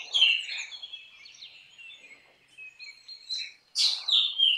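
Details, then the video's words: Black drongo from tropical southern Asia singing a run of scratchy, twittering notes that fade into soft whistles, then a loud harsh downslurred rasp followed by a whistled phrase. "Black drongo Singing Song ! Black drongo Call ! Black drongo Sounds ! Black drongo Vocals"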